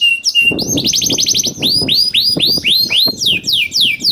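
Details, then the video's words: Canary in full song, used to trigger other canaries: a flat whistle, then a fast, even trill followed by repeated loud, down-slurred whistled notes, with low background thumps. "PANCINGAN KENARI GACOR DOR NGEREK PANJANG INI AMPUH BIKIN KENARI LAIN BUNYI #232 || VOICE OF CANARY"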